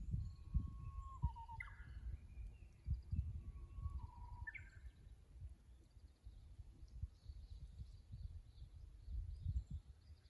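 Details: Japanese bush warbler at the Kusu tank road, Japan, filmed by a stationary camera on 24 April 2025. Two songs each begin with a drawn-out, slightly falling whistle and end in a short, upward-leaping flourish. Low thuds and rumble sound throughout, with faint twittering.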